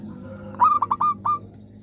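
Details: Eager-singing zebra dove, its voice used to prompt other zebra doves to sing: a single brisk phrase of short cooing notes, ending in a separate, longer coo, over a faint low hum.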